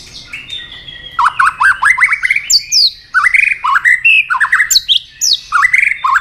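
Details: Caged white-rumped shama, stimulated into fight-singing with tail flicking: energetic bursts of quick falling whistled notes mixed with high upward sweeps, phrases repeated with brief gaps.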